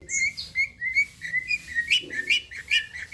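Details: Long-tailed shrike song used as a lure to make other shrikes answer: a series of short clear whistles near one pitch, about two or three per second, some sliding slightly up, with faint higher overtones.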